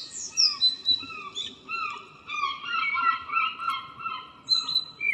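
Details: Morning song of a local common blackbird, 02/04/2013: lower, mellow whistled notes drawn out over the whole stretch, overlaid by higher thin whistles, with a hiss of background noise.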